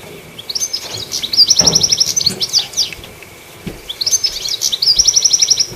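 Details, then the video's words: Chirpy goldfinch at the top of a tree delivering two long, fast phrases of bright, high twittering and trilled notes, with a brief lull between them and a low hum behind. "Chirpy Goldfinch On The Tree Top"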